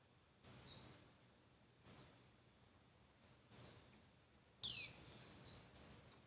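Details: Female Javan white-eye calling as a lure to stir males into singing: a thin, high, downslurred chirp, then faint short notes and a louder sharp descending call with a trailing twitter near the end.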